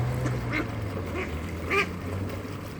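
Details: In rural North Wales a hungry village duck quacks a few times while being fed on a chilly evening, with three or four short, nasal, harmonic quacks standing out over low background murmur.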